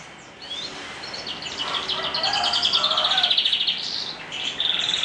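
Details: Canary singing in the morning: a continuous high song of rapid buzzy trills and rolling notes that build in loudness through the middle, with brief whistled slides, over a soft background hiss.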